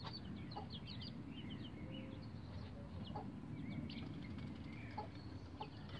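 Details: Young bantam Rhode Island Red chicks around 11 days old climbing a chicken ladder; thin, scattered peeps and short trills mixed with occasional clicks and taps against steady low background noise.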